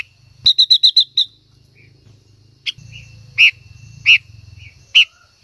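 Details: A female silver-eared mesia sings to excite a male: six rapid, evenly spaced bright chirps, then a pause and three loud, separated sharp notes over a low background hum.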